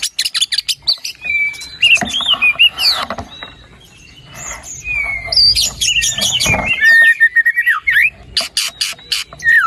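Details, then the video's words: Lively white-rumped shama song used to prompt a sluggish bird to sing: clear whistles and slurred notes broken by harsh clicking bursts, a short quieter gap midway, then renewed varied phrases. "PANCINGAN MURAI BATU GACOR ! BONGKAR ISIAN ! NAIKAN MURAI BATU MALAS BUNYI AGAR CEPAT GACOR !"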